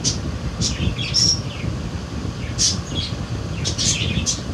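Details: Baby budgerigars from a 2022 breeding give scattered thin, sharp chirps, a few at a time with short gaps, over a low rumbling background.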